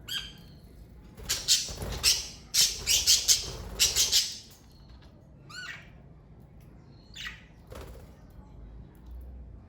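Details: Pet parakeets in a family group break into loud, rapid chattering squawks, a dense run of harsh notes for about three seconds. Sparser, slurred chirps follow after a pause.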